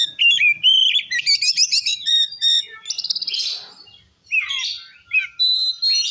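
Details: Oriental magpie-robin in full, varied song meant to provoke other magpie-robins: loud whistled notes, rapid chattering trills and buzzy phrases at high pitch, with short pauses between bursts.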